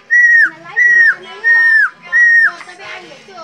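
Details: Captive helmeted friarbird whistling nonstop while being teased: four clear whistles, each held level then slurring downward, spaced about 0.7 seconds apart, with faint background chatter.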